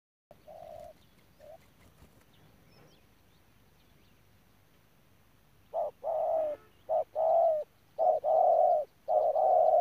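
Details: Spotted dove kept as a ground decoy bird at Đức Cơ, recorded November 2018: after a few faint soft coos, a loud series of low hooting coos follows from about six seconds, short and drawn-out notes alternating in quick succession.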